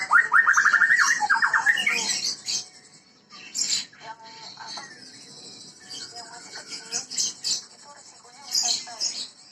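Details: White-rumped shama, a Medan-type bird from a breeding setting, singing in a lively 'gacor' style: rapid descending whistled trills, then softer scattered chips and buzzy notes amid faint background hiss.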